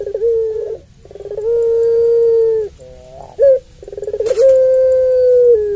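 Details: A Barbary dove (puter pelung) gives three long, level coos, each opening with a quick stuttering burst before stretching into a steady hum, with one brief click between them; used as a long-voice lure.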